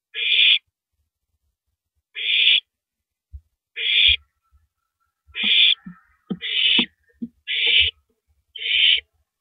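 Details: On April 9, 2012 at 3:33 AM, an owl shreds a big rabbit before downing it; seven hissing screeches that quicken toward the end, with bursts of tearing and knocking noises between the later ones.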